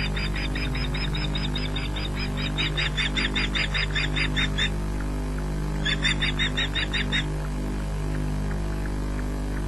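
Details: Male osprey landing briefly on its nest and taking off again, Loch Garten, 3 June 2009, picked up by a nest webcam: sharp, rapid chirps in two bursts, roughly a dozen then eight notes, over a steady low hum.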